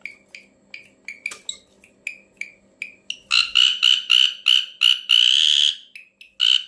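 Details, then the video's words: Strange calls of an ashy drongo: quick clipped notes with downward tails and one sharp click, then a run of loud harsh buzzy rasps and a longer grating note, with a faint low hum behind. "suara aneh burung srigunting abu abu"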